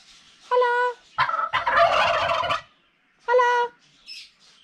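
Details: Turkeys vocalizing: a clear harmonic yelp, then a rough, rapid rattling gobble of about a second and a half, and another harmonic yelp afterward, with faint high chirps at the end.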